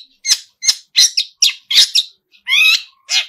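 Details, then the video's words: Long-tailed shrike in full, active song with mimicked fills: a string of five sharp, scratchy notes, a brief pause, then a longer buzzy slurred phrase and one more harsh call. "pentet full isian gacorr"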